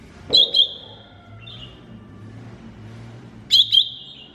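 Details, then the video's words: Greater green leafbird (cucak ijo mini) in a masteran song recording: two sharp, bright whistled notes, a long steady high whistle, then the same paired notes again near the end over a faint low hum. "MASTERAN CUCAK IJO MINI"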